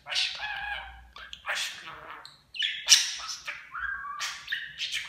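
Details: Talking pet budgerigar imitating human words in Turkish. Chattering, voice-like phrases with buzzy harmonic notes and sharp clicks, rising and falling, with a short gap midway.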